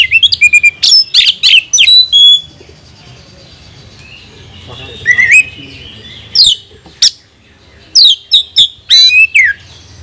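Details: Oriental magpie-robin in full song, meant to provoke other birds: clipped clicks and piercing whistles, a rush of varied notes, a quiet gap with faint chatter, then scattered loud downslurred whistles and harsh calls.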